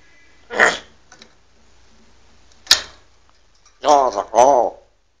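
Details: Pet parrot reciting Shia religious phrases: a raspy syllable, a sharp click, then two wavering, nasal, voice-like utterances with warbling pitch, in a quiet setting.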